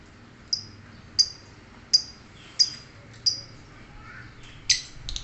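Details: Lovebird giving sharp, very high chip notes, about six in a row, spaced under a second apart, with a low hum and faint background noise.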